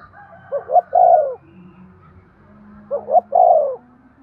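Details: Spotted dove cooing to stimulate breeding: a low phrase of two short notes then a longer rolling coo, repeated twice about two and a half seconds apart, with a faint low hum behind.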